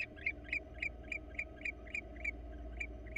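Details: Wild barn owl pair visiting a nest box in Florida; a rapid series of short, harsh chittering notes repeats about three times per second, over steady low hum.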